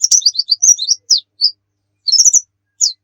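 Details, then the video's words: Oriental white-eye in vigorous song used as a tutor: a tumbling run of high slurred notes, two isolated chirps, a half-second gap, then a short bright burst and one final note. "suwara burung pleci gacor cocok buat masteran"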